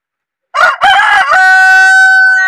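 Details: A desi (local country) rooster crows loudly: a few short harsh stuttering syllables, then one long, steady drawn-out note that holds to the end, rich in harmonics, with no other sounds in the background.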